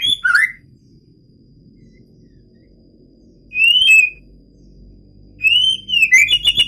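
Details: Medan white-rumped shama inside a breeding aviary: loud slurred whistles, some rising and some falling, separated by long pauses over a low steady background hum.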